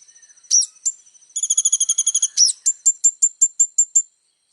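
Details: Little spiderhunter in full 'isian' song: sharp high notes, a dense buzzy trill of about one second, then a slowing series of clear whistled chips, each under half a second apart.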